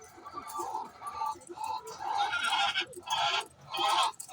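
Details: Domestic hen calling before laying eggs: a series of loud, harsh, harmonic squawks in short bursts, some brief and some drawn out, following each other about every half second with short pauses between.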